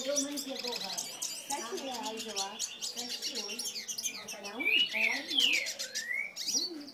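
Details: A very fired-up male hooded siskin sings a fast, unbroken run of high twitters, trills and sweet buzzy notes, with some rising whistled slurs, while low voices murmur in the background.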